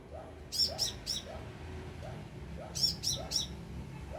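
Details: Close sunbird in the open, two clusters of three sharp high-pitched notes about two seconds apart, with faint repeated lower chirps behind.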